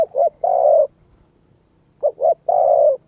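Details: Spotted dove coos used to stimulate a decoy bird: two low phrases, each two short husky notes leading into a long, level coo, separated by a second of quiet.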